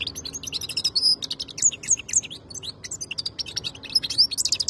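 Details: European goldfinch singing quick, jingling twitters interspersed with clear whistled slurs, about four notes a second, bright and high-pitched throughout.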